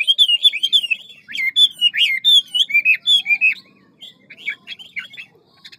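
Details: Hwamei singing in the ngũ trường style, described as a large, handsome bird with a forest voice, quick beak and many voices: rich, rapid whistled phrases sliding up and down, a brief pause, then shorter sharp slurred notes.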